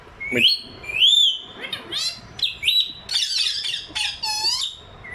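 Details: One of a talking pair of pet ringneck parrots in an Urdu/Hindi-speaking home, giving rising nasal squawks followed by a dense run of harsh, buzzy, speech-like chatter with sweeping harmonic notes, indoors.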